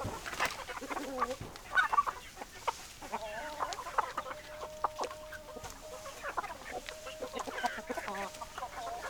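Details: Flock of chickens calling together: steady chatter of clucks from many hens, with a drawn-out, even, level note held across the middle and end of the clip.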